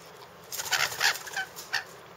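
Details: Rainbow lorikeets in a backyard, producing a loud burst of harsh, grating screeches: a cluster of rasping shrieks in the middle, then one more short screech after a pause.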